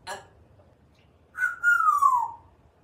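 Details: Pet African grey parrot on a screen porch in Texas serenading the birds and squirrels: after a brief noisy click, one long pure whistle glides slowly downward for about a second.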